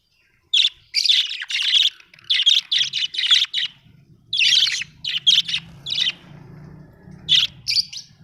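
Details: Happy budgies chirping: dense bursts of fast, scratchy warbled chirps in short phrases with brief gaps, over a faint low hum.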